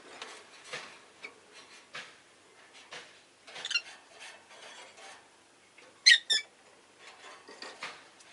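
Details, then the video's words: Rosy-faced lovebird kept as a pet: soft scratching and rustling throughout, broken by a brief squeaky chirp midway and then two loud, harsh high chirps in quick succession. "Lovebird Chirping Sounds"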